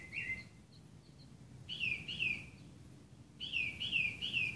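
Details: Northern mockingbird singing in the morning at a house in Burbank, California, on 7/1/2016: bright high phrases, each note repeated three times in quick bursts, with a pause between groups, over a faint low hum.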